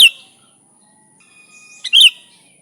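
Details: Energetic sooty-headed bulbul, unmixed and used as a bulbul lure: the tail of one chirp, a quiet stretch with a faint thin whistle, then a loud bright chirp with a quick lead-in note.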